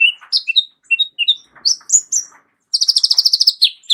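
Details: Sunbird known as kolibri ninja, singing varied fill phrases as a vocal model for other songbirds; paired up-and-down whistled notes, a few chattery bits, then a fast, even string of bright ticking notes.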